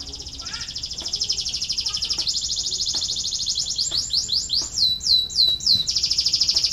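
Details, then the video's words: Canary singing, a recording meant to coax lazy canaries into song: a continuous high rolling trill with steady rapid pulses, shifting pitch midway, ending in a run of descending slurred notes and a bright buzzy trill. "KENARI BELAJAR BUNYI UNTUK MERANGSANG BUNYI- pancingan kenari malas bunyi"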